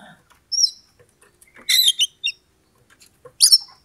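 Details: Oriental magpie-robin singing as a bait song meant to stir a rival's aggression toward fighting. Short bursts of sharp, high chattering notes and thin whistles, separated by pauses, with a quiet background.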